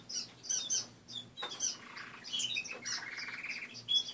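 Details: Morning chatter from pet finches in a cage: high, clipped chirps plus a lower, buzzy, rapidly pulsed trill near the end, with light rustling.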